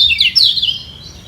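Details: White-eye in a singing duel to defend its top position; a brief rush of thin, high slurred chirps fading out.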